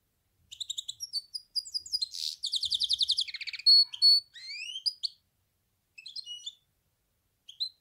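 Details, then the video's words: Goldfinch hybrid singing a high, varied song of rapid twittering notes, a dense buzzy trill in the middle, then upward-sweeping whistles and short chirps with brief pauses near the end. "تغريد النغل.. هجين الحسون melez ötüşü"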